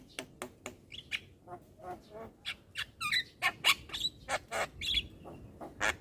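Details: Nonstop chatter from a young Javan myna bobbing its head: rapid dry clicks mixed with rasping squawks and a few short whistled slurs, irregularly spaced.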